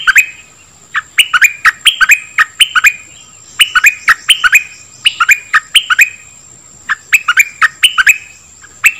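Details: Song of the dok taeng bird, meant for training young birds and stirring them up: short clusters of sharp chirps and downslurred whistles, three to five notes per burst, regularly spaced pauses, faint steady high hum.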